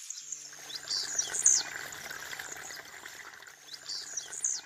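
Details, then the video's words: Wild blue-black grassquit singing in nature: a very high, thin buzzy phrase that sweeps and sputters, given twice about three seconds apart over a faint hiss. "TIZIU CANTANDO NA NATUREZA."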